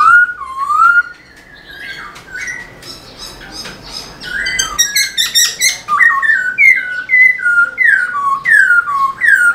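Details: Black-throated laughingthrush singing energetically while dancing its tail, used to stir other caged laughingthrushes into song: loud whistled phrases, falling then rising slurs repeated roughly every second, with a burst of harsher chattering notes in the middle.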